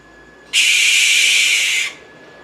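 A Barn Owl gives one long, harsh, hissing screech lasting just over a second, steady in pitch and with no tone. A quiet background follows.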